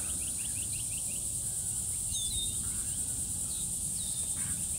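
Thin, high whistles that slide downward and then level off, given three times. A steady, shrill insect drone and a quick run of faint chirps sound throughout.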